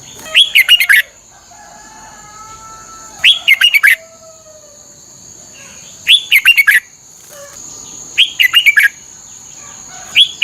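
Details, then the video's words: Thai Red-whiskered bulbul song used for training caged birds: five bursts of clipped, chirpy whistled notes spaced a couple of seconds apart, faint other bird notes between, and a persistent high tone in the background. "เสียงนกกรงหัวจุก สำหรับต่อ หรือ เปิดให้นกคึก เสียงเพราะๆ"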